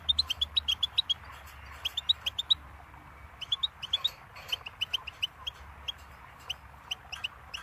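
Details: Goldfinch song as a steady stream of short, bright chirps in quick clusters, repeating on and off throughout against low background noise.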